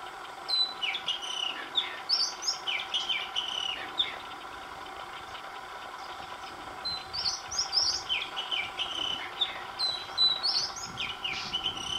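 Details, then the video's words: Oriental magpie-robin song, recorded on several days with a different tune each day: two bursts of varied whistled and twittering phrases separated by a quieter gap of low background hum. "Singing Magpie Robin - beautiful call"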